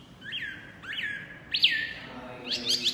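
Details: White-eye singing vigorously at full loud voice: a few separate rising whistled notes, each sweeping up then tailing off, ending in a short burst of high chattering notes, with faint background hiss.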